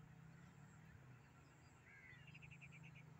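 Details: A Sindhi black francolin gives a short rising whistle, then a quick run of about eight clipped, high notes, over a steady low engine-like rumble.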